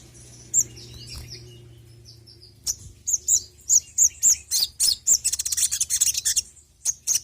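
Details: Sogon bird song for luring, with shrill high chirps coming faster and faster into a busy twittering run of very high notes, then a few final chirps, over a low hum.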